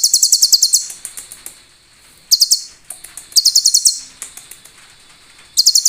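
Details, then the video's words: Sunbird known as konin, recorded as a training master with cililin fill: repeated fast trills of sharp, high, buzzy notes, each burst under a second, returning four times with soft clicking between. "KONIN GACOR||MASTERAN Mewah| SUARA ASLI BURUNG KOLIBRI ISIAN CILILIN JERNIH NGALUN MUDAH DI INGAT"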